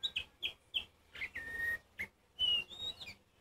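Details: Oriental magpie-robin singing loudly to rouse other birds, a series of sharp whistled notes, one long steady whistle held near two seconds' length, then rising and falling whistles.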